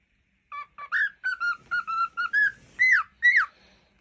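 A cockatiel sings a quick run of clear whistled notes, ending in two louder swooping phrases.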